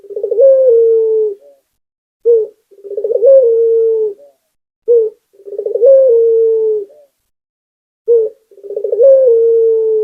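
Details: Local spotted dove singing steadily: phrases of soft low cooing that open with a quick stuttered run, swell into a long level coo, and end with a brief separate coo. Roughly every three seconds, in a quiet setting with no other sounds.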